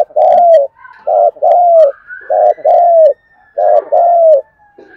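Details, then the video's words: Cooing of a spotted dove used to stimulate caged wild-caught and decoy birds to call during rain and wind; steady two-part phrases, a clipped note then a long falling coo, cycling regularly, with a faint higher whistle behind. "Mưa gió Cu bổi và mồi không chịu gáy mà mở vdeo này thì khỏi phải bàn"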